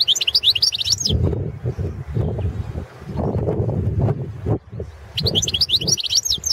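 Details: Competition song of a European goldfinch (Carduelis carduelis balcanica) entered in the 2017 World Championship in Goldfinch Song: two short bursts of tinkling, rapid high twitters at start and end, separated by several seconds of low rumbling background noise.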